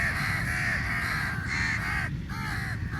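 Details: Crows competing for meat at a feeding; several loud, coarse caws run together from more than one bird, followed by a brief lull and a final caw.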